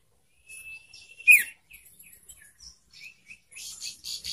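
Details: Young caged sirtu singing, a recording used to prompt other sirtu to sing: a long thin whistle held level, then a sharp loud chirp, followed by scattered short tweets and a final run of high buzzy notes.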